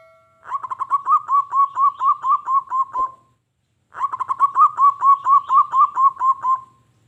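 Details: Zebra dove, a local bird in full lively song, used to provoke wild doves into answering and attacking each other: two bursts of rapid, evenly spaced staccato cooing notes, about a dozen each, separated by a short pause, with little background noise.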